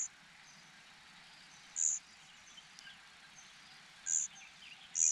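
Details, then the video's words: Hungry young cuckoo calling for food with brief shrill high-pitched notes, two of them close together near the end, over constant hissing background noise and faint buzzy chatter. "Cuckoo birds are so hungry."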